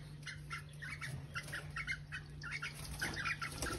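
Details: Female cockatiel giving a mating call to attract males: a steady run of short, soft chirps, several each second, over a constant low electrical hum.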